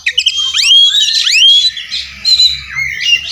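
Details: An Oriental magpie-robin in fighting mood delivers a mimicry-filled tutoring song of sweeping upward whistles and scratchy slurred notes, with a steady low hum in the background.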